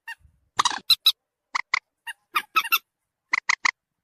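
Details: Common moorhen lure call used to draw birds closer: loud, clipped, harmonic notes, mostly in quick triplets, with short silent gaps between bursts.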